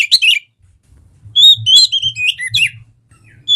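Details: Oriental magpie-robin singing, an Indonesian cage-bird song meant to trigger other birds: clear drawn-out whistles alternating with quick scratchy twitters and descending slurs, a short silent gap early on, faint low background hum.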